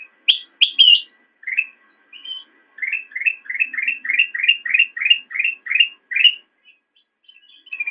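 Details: Black-crested bulbul singing for songbird training: a few sharp high notes open, followed by a long even series of about a dozen identical rising whistled notes, evenly spaced, then fading.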